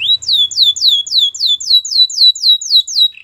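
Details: Canary singing a champion-style training song, a clean run of evenly spaced falling whistled notes, about four per second, sustained for the whole stretch.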